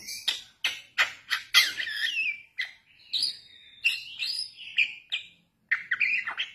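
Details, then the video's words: Young Bali myna lure song, sharp clicking bursts at the start followed by a run of clear whistled notes, some sliding and wavering, broken by brief pauses. "Pancingan Jalak Bali Muda"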